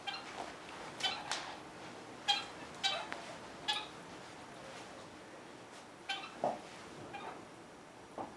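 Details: While eating bird pizza, a kept red-fronted parakeet utters a run of short, clipped, slightly nasal chirps, roughly ten in eight seconds, some paired, with a quiet indoor background.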